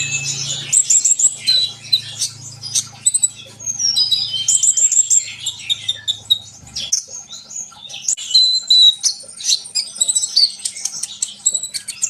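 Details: Sunbird in vigorous song, meant to set other birds singing: a long, busy stream of high twittering, short trills and thin whistles with brief pauses, a faint low hum in the first seconds.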